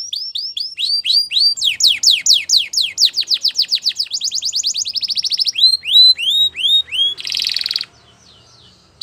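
A Belgian canary sings a fast, high, sustained song of rapid rolling trills and sweeping upslurred notes, with a brief buzzy burst near the end.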